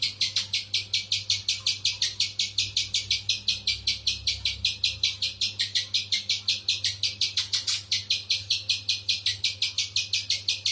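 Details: Long, unbroken run of piercing, buzzy chips from a spiderhunter, delivered at a brisk, fairly steady pace of nearly three per second, with a faint low drone in the background.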